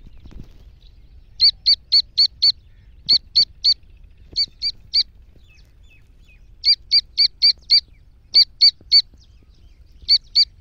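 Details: Iranian black francolin, described as the excited voice of a female, with a chick's voice also mentioned. Clear high whistled notes, each with a hooked tail, come in runs of two to six at about four per second, separated by pauses.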